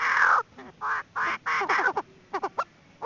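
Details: Calls of a female Chinese francolin, used as a trapping lure: a long harsh note, then a run of raspy, uneven bursts, some broken into rapid stuttering pulses, at irregular spacing.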